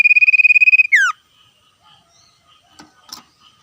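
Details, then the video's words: Common iora in the wild, in lively ngetir trilling song and calling back and forth with wild birds: a rapid pulsed whistle held on one pitch for almost a second, then a quick falling slur, followed by faint distant notes. "sirtu cipoh gacor ngetir suara asli alam liar"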